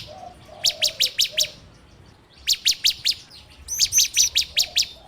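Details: Bar-winged prinia song recorded on an Android phone as a lure: three bursts of five or six clear, high, evenly spaced chirps with short silent gaps between.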